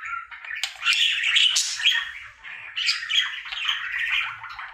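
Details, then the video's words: Pet budgerigar, male, chattering through his daily singing routine inside a room: continuous buzzy warble of squawks, clicks and whistled notes with a faint low hum beneath. "Budgie singing for 1 Hour Happy song!"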